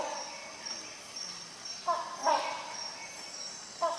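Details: Rhinoceros hornbill: two nasal honks close together mid-way and a third at the very end, with a thin steady whine running throughout.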